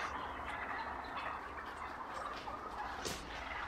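Wild turkeys call in rough, rattling gobbles and clucks over a steady hiss of background noise, with one sharp louder burst near the end.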